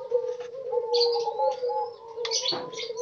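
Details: Spotted doves kept together in a group cage under daily care: a steady low hooting coo held almost throughout, with overlapping tones, bright high chirps and twitters from other small birds in the background.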